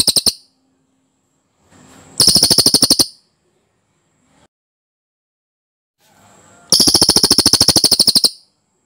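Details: Cililin song recording meant as a tutor for training other birds: clear, dense, very high rolling trills of fast, evenly repeated notes. Two bursts of about one second each, separated by near silence.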